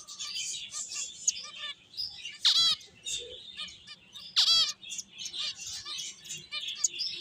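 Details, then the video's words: Finches playing, several birds chirping in a dense, overlapping high chatter, broken twice by a loud, sweeping, drawn-out call. "Cute Birds Chirping Sounds | Beautiful Finches Playing"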